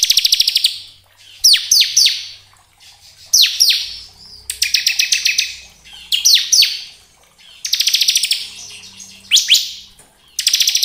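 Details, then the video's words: Bar-winged prinia (ciblek kristal) song played to lure and excite other birds into calling: short phrases of rapid high ticking trills and steep down-slurred notes, repeated roughly every one to two seconds with brief silences. "Pancingan ciblek agar cepat bunyi gacor ngebren belum 1 menit sudah respon nyaut"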